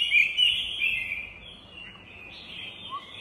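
Chinese hwamei singing a fast run of bright, high whistled notes, strongest at the start, then fading into softer warbling.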